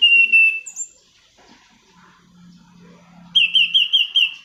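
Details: Black-throated laughingthrush song for luring or tutoring trained birds: a sustained loud whistle, a quiet gap with a low steady hum, then five quick rising-falling whistled notes in a row.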